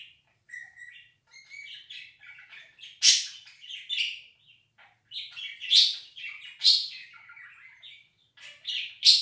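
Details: Budgerigar 'laughing' with clear whistled chirps and buzzy warbles, punctuated by several loud, harsh, scratchy squawks and short gaps between phrases.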